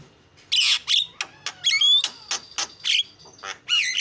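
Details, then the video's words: Singing Javan myna, a 'gacor' bird with 'isian' fill-in phrases: bursts of raspy, buzzy squawks alternating with clear rising and falling whistled slides and sharp clicks, delivered in an uneven, busy rhythm. "JALAK KEBO SUPER GACOR SUARA ISIAN"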